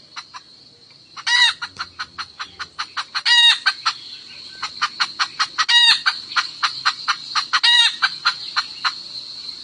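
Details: Hen of the highland wild chicken calling to the cock: a long, quickening train of sharp clucks, broken every two seconds or so by a louder, rasping cackle, with a constant high-pitched buzz in the background.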